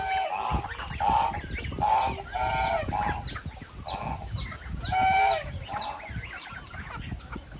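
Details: A run of goose honks, about eight short nasal calls spaced unevenly, some doubled, over a steady murmur.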